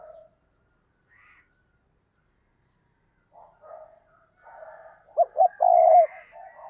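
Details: Spotted dove used as a decoy to lure others: near silence and faint murmurs at first, then one clear phrase near the end of two brief notes and a long sustained coo.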